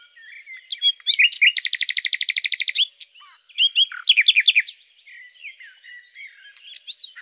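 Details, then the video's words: Luscinia megarhynchos, the common nightingale, delivers a loud, rapid rattling trill of about twenty pulses, followed by sharp down-slurred chips and softer varied warbled notes. "#Common_Nightingale (Luscinia megarhynchos)"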